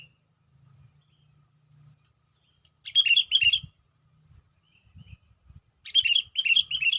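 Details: Sooty-headed bulbul calling to attract wild bulbuls: two bursts of three fast bubbly chirped notes, about three seconds apart, with low hum and knocking sounds between.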